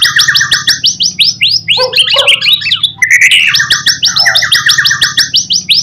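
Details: White-rumped shama lure song used to make other shamas respond: rapid, evenly repeated high chirped notes, a brief jumbled warbling middle, then the quick repeated chirps again, over a steady low hum.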